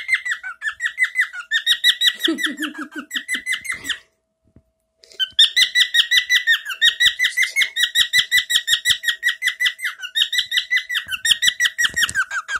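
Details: Male pet bird that often sings this favourite chirp: long runs of fast, high, downward-sweeping chirps with a lower buzzy phrase early on, a short silence, then a long steady chirping run.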